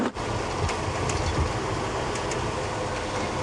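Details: Steady rumbling vehicle noise with rattles and a few faint clicks, and no clear animal call.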